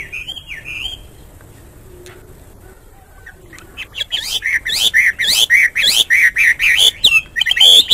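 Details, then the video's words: Hwamei heard in the morning: a brief whistled phrase, then near silence for about three seconds, then a burst of loud, fast, ringing notes that repeat quickly and grow stronger to the end. "Nghe chim họa mi hót hay mỗi sáng"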